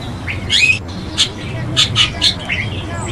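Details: Chestnut-tailed starling, an introduced bird in Taiwan, giving short, sharp, high chirps and squeaky slurred notes in loose bursts, with a faint low hum underneath.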